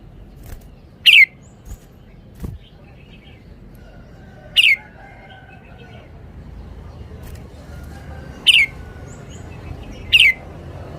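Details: Red-whiskered bulbul giving a slow series of single crisp, falling whistles, four loud notes several seconds apart, with occasional soft clicks and chirps in between.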